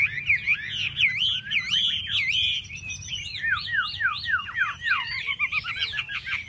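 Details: Chinese hwamei in tail-spreading display, pouring out a rich, continuous stream of warbled, looping whistles with fast pitch swings.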